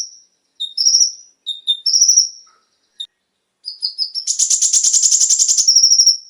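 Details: Konin song for stimulating captive birds: short whistles and quick trills give way to a rising series of notes and a dense, loud, sustained chattering trill.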